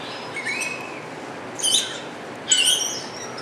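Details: Wattled starling singing at Avifauna, Alphen aan de Rijn, Holland: a soft rising whistle followed by two loud bursts of high, squeaky, scratchy notes about a second apart.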